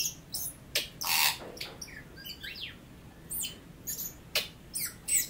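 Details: Tui from New Zealand, a native bird, singing a busy sequence of harsh rasping bursts, clicks and thin descending squeaks, repeated in uneven runs for over five seconds.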